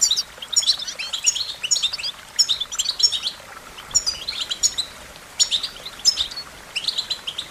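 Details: American goldfinch singing a bright, twittery series of high chirps and short descending whistles, given in phrases repeated about every half second to second, over a quiet natural background.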